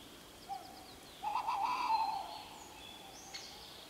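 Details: Tawny owl calling: a short hoot near 0.5 s, then a long wavering, quavering hoot about a second long, with faint high chirps and insect-like tones in the background.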